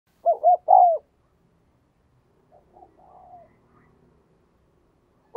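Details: Decoy spotted dove cooing to lure wild doves, in the thúc and gáy calling styles: a loud three-note phrase of two short rounded coos and a longer falling coo, then a fainter, softer coo phrase after a pause.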